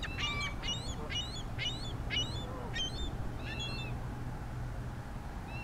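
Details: Ring-billed Gulls, a pair at a pond in Diamondhead, Mississippi, January 2016: a run of sharp, high, down-slurred squealing calls repeated about twice a second, fading out, over a low rumble.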